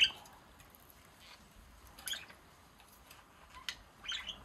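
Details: Two pet budgerigars in Baunatal, Hessen, Germany, 27 March 2023, give a few short, scratchy high chirps and squawks, spaced irregularly over a few seconds, against a quiet indoor background.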